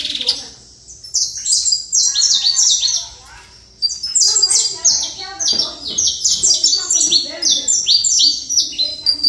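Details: A saffron finch pours out Trator song: quick, stuttering bursts of piercing high chirps, a silent gap near the start, then long rapid sequences to the end.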